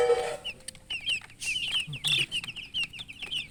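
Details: Newly hatched chicken chicks chirping loudly: a dense stream of short, high, downward-slurred peeps, several birds overlapping, with a brief lower harmonic call at the start and faint low rumble beneath.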